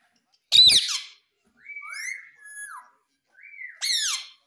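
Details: Pet parrot kept indoors, vocalizing: a loud harsh squawk, then two drawn-out whistled notes that hold level and slide down, and a final rising whistle ending in another harsh squawk.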